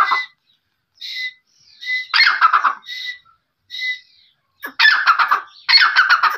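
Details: Quail calling with short paired notes spaced about a second apart, broken by louder harsh chattering bursts in quick succession.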